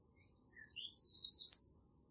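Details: American redstart singing one thin, very high phrase of rapid notes lasting just over a second, growing louder toward the end, against a silent background.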